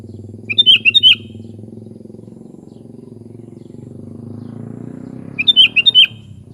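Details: Sooty-headed bulbul song: two fluty, bubbling phrases of five or six quick notes roughly five seconds apart, over a loud steady low droning engine-like noise.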